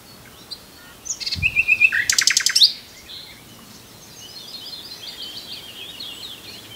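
A common nightingale sings one short phrase: a quick string of clear repeated notes, then a loud dry rattle. Fainter twittering from another bird follows.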